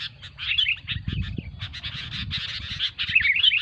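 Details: Sooty-headed bulbuls in a noisy session, kept as a lure for trapping their own kind: rapid bursts of harsh, buzzy chatter with a few short whistled slurs near the end, over a low rumbling background.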